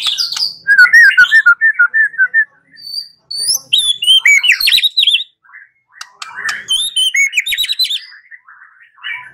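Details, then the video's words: White-rumped shama song used as a lure to make another shama answer and sing: a rich, fast, varied stream of clear whistles, slurred notes and high chips, delivered in several loud phrases with brief pauses. "Pancingan Murai batu 85% Jitu jadikan Murai batu NYAUT NGEPLONG"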